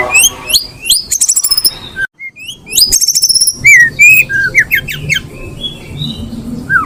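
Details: Female Oriental magpie-robin in breeding condition: clear whistled slurs, mostly rising, mixed with rapid rattling bursts of sharp high notes and a brief silent gap, then a looser run of short upward whistles.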